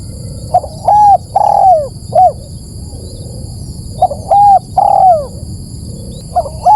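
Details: Spotted dove call played as a bird lure: two loud phrases, each a quick coo or two followed by a longer down-slurred coo, roughly three seconds apart, sounding clipped and overdriven, with low hum beneath.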